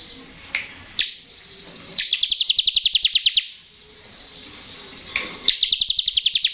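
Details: Ngebren-style song of a bar-winged prinia, used to encourage lazy birds to sing: a couple of sharp chips, then a rapid rattling trill of high repeated notes, a pause, and another trill starting.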